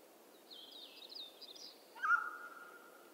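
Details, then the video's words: A mountain quail (Oreortyx pictus) gives one loud, clear mid-pitched note that falls quickly and then holds level, after a fainter, higher rasping sound. "Mountain Quail Call"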